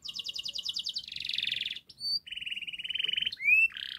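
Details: Canary singing a loud master phrase sequence to stimulate a quiet canary: quick repeated chirps, a dense buzzy roll, a short pause, then a fast level trill and a rising whistle.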